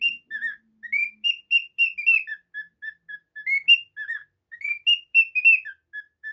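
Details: Cockatiel kept as a pet, repeating crisp whistled chirps in quick runs: upward-sliding notes, a few falling, and evenly spaced lower peeps, with brief pauses.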